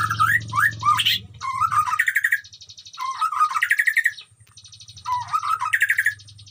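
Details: Caged white-rumped shama in a colony enclosure with wild animals nearby: three loud phrases of rapid, looping whistles that end in chattering trills, separated by softer buzzing, with low hum underneath.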